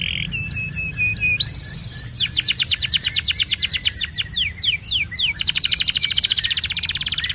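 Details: Belgian canary singing a chain of phrases: short spaced chirps, a sustained whistle, long rapid trills of sweeping notes and a dense rolling trill at the close.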